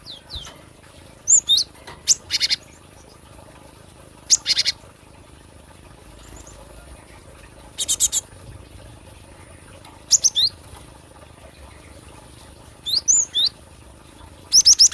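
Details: Cinereous tit recorded for luring or song training: scattered high, sharp chirps and short buzzy rasping bursts, each a cluster of quick notes, separated by pauses of a second or more, over a quiet background.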